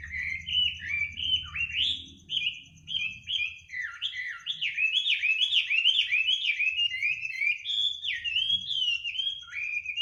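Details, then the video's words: Midnight birdsong, a long continuous run of quick rising and falling warbled notes, fast and melodious, over a faint steady high ticking tone and a soft low hum early on. "kicau burung di tengah malam"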